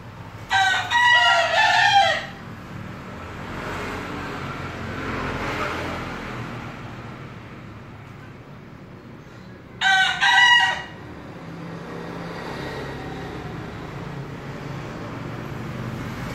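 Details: A bekisar chicken hailed as a champion in the making crows twice, roughly nine seconds apart. Each crow is brief, loud and harmonic, with a clipped, broken shape, and a continuous low rumble sits between them.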